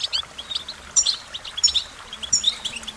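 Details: Goldfinch song: high, bouncy twittering phrases with bright whistled notes, repeated in quick bursts about every second.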